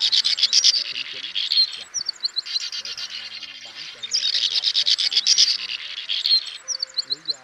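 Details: Male and female swiftlets calling the flock to roost, recorded as a trapping lure: two long runs of rapid high twittering pulses, each ending in short sharp chips, with quieter rasping chatter between.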